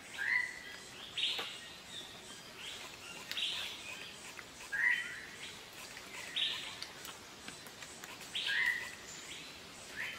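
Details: A Malabar grey hornbill (Ocyceros griseus) in Kerala gives harsh, squealing cackles in short bursts every one to two seconds over a steady background hiss.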